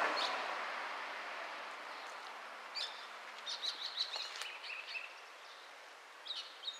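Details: Chestnut-cheeked starling singing in early May 2012 at a home garden: a few scattered high squeaky chirps and short twittering notes, faint against steady broadband background noise.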